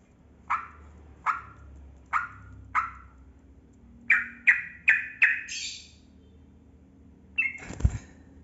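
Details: Yellow-vented bulbul song in the long 'ropel panjang' style, used to make silent bulbuls start singing; four spaced bubbly notes, then a quicker burst of four and a higher note, ending with a low thump.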